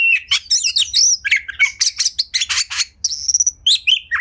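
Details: Oriental magpie-robin in the home, singing continuously to encourage other magpie-robins: fast, varied chattering song of harsh chirps, twisting whistles and squeaky notes, with a clear high whistled phrase about three seconds in.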